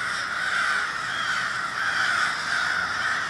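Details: Dense crow chorus recorded in Minneapolis, Minnesota, on 20 February 2020, with a large group producing loud, grating caws layered so closely they merge into one continuous noise.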